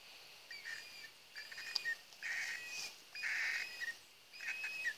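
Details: Young cockatiels, chicks of a kept pair, giving harsh buzzy rasping bursts in short groups about once a second, with brief quiet gaps between them and thin whistled notes mixed in.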